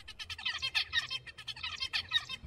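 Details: Zebra finch song, a species song learned from adults the way humans learn to speak, practised and then used to communicate: rapid bursts of buzzy, harmonic-rich notes repeated in quick succession, with slight low background hum.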